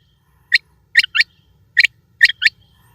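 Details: Quail recorded at Eid giving crisp, abrupt notes, mostly in close doublets, repeated roughly every half second to second against near silence and a faint low rumble.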